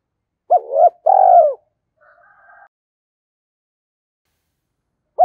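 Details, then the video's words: Spotted dove lure coo: a paired, wavering hooked note, then a sustained coo sliding downward, followed by a faint, soft higher tone. "cu gay kich boi nhanh noi gù, tiếng chim cu gáy kích bổi hiệu quả"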